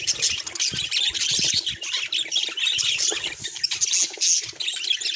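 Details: Busy budgerigar chatter: overlapping squeaky chirps and fast warbled notes, with a few louder sharp tweets standing out and faint low knocks beneath.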